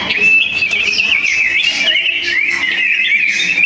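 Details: Sooty-headed bulbuls locked in a song duel, voices loud and close-packed: an unbroken warbling whistle that twists up and down with quick trills.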